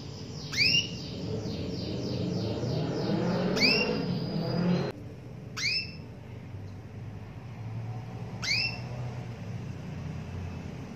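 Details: Female canary calls used to prompt a male canary that has stopped singing: short upward-sweeping chirps, a quick run early on, then single notes every two to three seconds, over steady low rumbling traffic-like noise.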